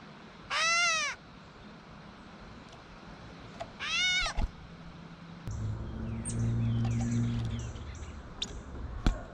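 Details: Gray Catbird in a backyard while feeding gives two nasal, cat-like mews about three seconds apart, each rising then falling; a low hum and a few clicks follow.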